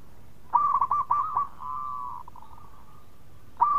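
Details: Local zebra dove (perkutut), a lively singer, cooing as a lure to prompt other doves to answer: a cluster of quick, bubbling mid-pitched coo notes, then a long steady purring tone and a final coo burst.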